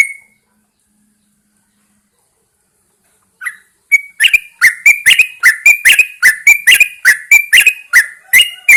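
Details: Yellow-vented bulbul, a caged bird hung outdoors in the early morning to encourage singing, gives a fast series of loud, bubbling notes about three times a second after a brief opening call and a pause.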